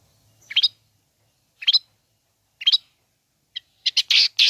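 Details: Long-tailed shrike song used to provoke other shrikes into calling: three short paired harsh chirps about a second apart, then a burst of louder rasping, buzzy notes.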